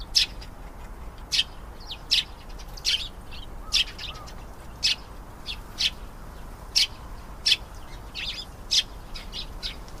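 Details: Canary giving short sharp high chirps, one roughly every second with uneven spacing, over a soft steady background hiss.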